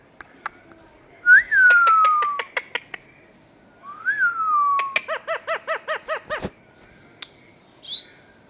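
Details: Indian ringneck parakeets, a pair in a garden: two loud whistled notes, each flicking up and then sliding steadily down, then a quick run of about eight nasal, evenly spaced syllables among scattered sharp clicks.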